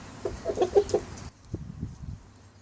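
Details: A rooster courting a hen, using a special dance and a food offering, gives a quick run of five or six short, low, throaty clucks in about one second, followed by softer scattered clucks.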